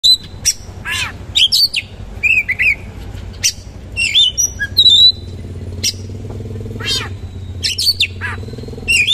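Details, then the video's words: Oriental magpie-robin (kacer) in full song, a harsh-material 'roll tembak' style with rich fill: sharp high whistles, buzzy downslurred notes and rapid chatter in short bursts, over a low steady hum. "KACER GACOR MATERI KASAR ROLL TEMBAK ISIAN MEWAH"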